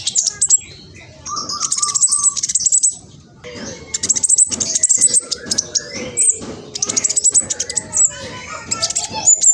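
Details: Juvenile king konin, the black sunbird, East Java, Indonesia, phone-recorded, with an excitable fast song used to make others answer: quick high chattering bursts and thin twitters, a short lower whistled note early on, separated by quiet gaps.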